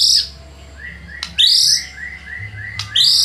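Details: White-rumped shama song played to provoke rivals into answering: bright high whistles every 1.3 seconds, separated by a soft series of short lower notes.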